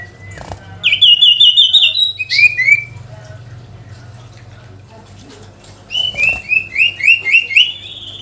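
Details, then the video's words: Sooty-headed bulbul calling out a rival with two bursts of sharp, upslurred chirping notes, each run of six or seven fast repeated phrases separated by a quieter pause, steady low hum behind. "SIRTU GACOR MEMANGGIL LAWAN‼️ Suara Asli Alam Durasi Panjang"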